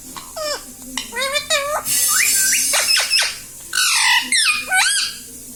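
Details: Pet parrot speaking "Mummy": dense chatter of falling and rising harmonic syllables, with a few harsher noisy squawks in the middle and scooping speech-like notes at the end.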